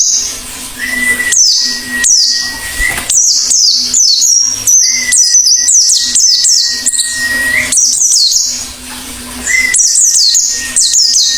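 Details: Oriental white-eye singing actively, a rapid run of high, sharp downward-sweeping chirps and twitters. A steady mid-pitched whistle-like tone and a low hum persist beneath the song throughout.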